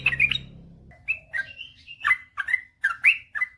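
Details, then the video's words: Sooty-headed bulbul in lively gacor ropel panjang song, used as a master recording to coax quiet birds into singing: a brief low hum fades into bubbly, slurred whistled notes rising and falling, spaced in quick bursts. "suara burung trucukan gacor ropel panjang"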